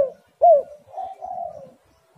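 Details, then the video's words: Spotted dove coo used as a lure to get doves calling: a short faint note, then a loud arched coo followed by a softer, drawn-out mellow coo that fades out. "tekukur super gacor"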